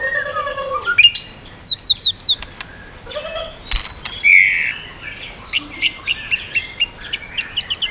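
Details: White-rumped shama delivering varied song with quick voice changes and tail flicking to stir up other birds: rich slurred whistles, short descending notes and a closing series of crisp, evenly spaced high chips.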